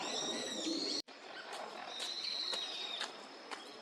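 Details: Eurasian wigeons, winter visitors, in a park pond at Junsai-ike Ryokuchi, Chiba, Japan, in November 2023, give high, drawn-out whistles, several overlapping in the first second and again near the end, over a steady broadband hiss.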